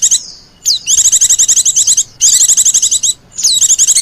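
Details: Lure call for wild Oriental white-eyes: extended, even, rapid trills of high metallic chips, each over a second long, introduced by swooping falling whistles.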